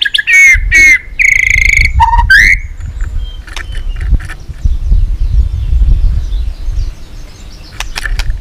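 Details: White-rumped shama trained for fight singing opens with a few loud rising whistles and buzzy slurs, then gives way to low rumbling background noise and faint distant notes.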